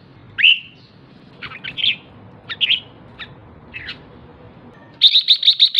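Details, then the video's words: Female red-whiskered bulbul ché calling to arouse males: a few sparse, sharp chirps and short warbles separated by pauses, then a sudden rapid series of six even, bright notes. "Chào mào mái ché/chào mào mái ché kích trống/ché kích trống căng lửa nhanh ché"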